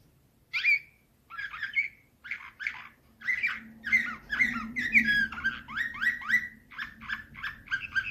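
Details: Canary with nightingale-type Slavujar song: isolated whistled chirps at first, building into a continuous stream of quick rising and falling notes, with a faint low hum behind.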